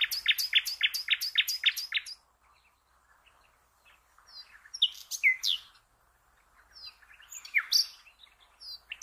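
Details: Nightingale song for training cage birds: opens with a fast series of about eight loud repeated notes over two seconds, followed by softer varied whistles and slurs after a quiet pause.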